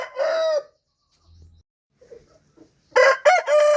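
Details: Rooster crowing: the end of one long held crow, a quiet pause with faint clucks, then a new crow of sharp stepped notes rising into a sustained tone.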